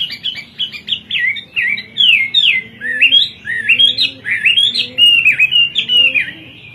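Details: Hwamei in full kowor-kowor song: a rapid, varied chain of slurred whistles sweeping up and down, continuous for nearly seven seconds.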